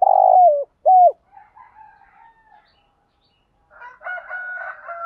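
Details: Spotted dove kept as a lure, calling to provoke wild doves. Two low hollow coos open the clip, then faint warbling and a louder higher-pitched call from another bird near the end.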